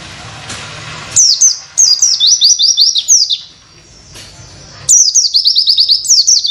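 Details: High-pitched Oriental white-eye witwit phrases used as masteran training material for other birds: two bursts of fast repeated slurred whistles separated by a short gap, each phrase tumbling downward in quick steps.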